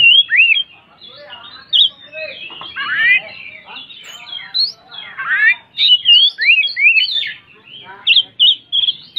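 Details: Contest-kept white-rumped shama in full song: rapid, varied whistled notes with sharp upslurs, harsh churring rattles midway, then crisp repeated whistles toward the end.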